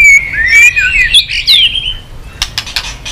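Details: Stimulated white-rumped shama, tail-flicking, delivers a smooth sustained whistled phrase that wavers and climbs, followed by a few sharp clicks.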